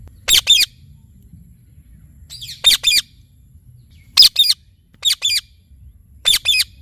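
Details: Shrill double squawks from an Indian ringneck parakeet kept as a talking parrot, each pair of harsh notes coming about once a second or so, five pairs in all, with a faint low rumble behind.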